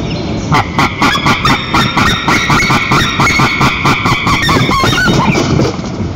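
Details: At a nest in Nizhnyaya Kama National Park, Russia, 22 April 2023, white-tailed eagle mates swap incubation duty, captured on a nest camera. A loud, fast run of about twenty barking, yelping notes ends in higher, drawn-out cries.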